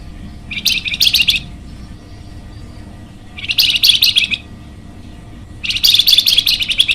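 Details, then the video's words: Flamboyan bird in full, energetic song, used for luring and for training other birds: three bursts of rapid high chattering trills, each about a second long, with quiet pauses between them. "masteran burung flamboyan"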